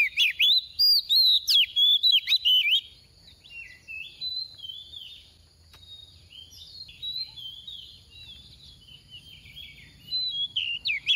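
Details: Female oriental magpie-robin kept as a caged decoy, singing 'tìu tíu tiu' to provoke males: about three seconds of loud, varied whistled notes, then quieter, more distant warbling continues, and loud phrases return near the end.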